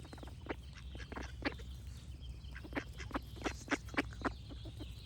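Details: Duck quacking in a rapid series, with harsh nasal quacks about three per second that grow louder toward the end, over a low background hum.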